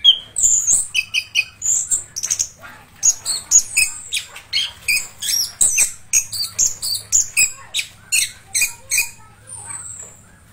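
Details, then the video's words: Orange-headed thrush in continuous song, a kept bird: a dense, varied run of high sharp notes, chirps and mimicked-sounding buzzy phrases, delivered in rapid bursts roughly every half second with a faint background hum. "Anis kembang Gacor Ngeroll"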